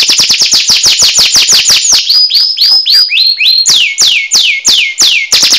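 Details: Canary song: fast trills of steeply falling whistled notes, several per second, shifting into lower slurred phrases and then slower loud downsweeps.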